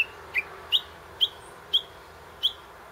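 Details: Japanese bush warbler in a tree near a grave, filmed handheld with a compact digital camera: sharp, high whistled notes spaced about half a second apart, slowing slightly toward the end.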